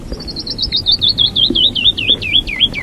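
Canyon Wren giving its cascading song: about eighteen clear, sweet whistled notes tumbling steadily downward in pitch, quickening then slowing near the end, over a faint low rumble.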